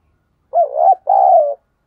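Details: Decoy spotted dove calling to stir other doves into cooing in wet weather: a soft hollow coo of two parts, a wavering opening phrase followed by a sustained, slightly falling note.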